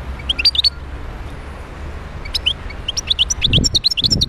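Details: European goldfinch caught from the wild in Médéa, Algeria: a few sharp chirps, a brief lull, then an accelerating stream of high, tinkling twitters and trills, with low thumps near the end.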